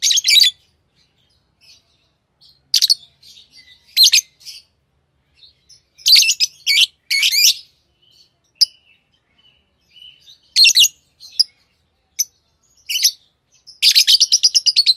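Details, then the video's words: Tame pet lovebirds chirp with scattered shrill, rasping notes, some single, some in quick clusters, ending in a fast rattling series of high chirps. "Love birds Sounds | lovebirds chirping sounds"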